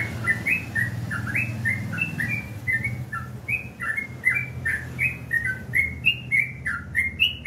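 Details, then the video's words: Morning song of a sooty-headed bulbul: quick bright whistled notes, some rising and some falling, repeated in lively chattering runs over a steady low hum in the background. "suara burung trucukan"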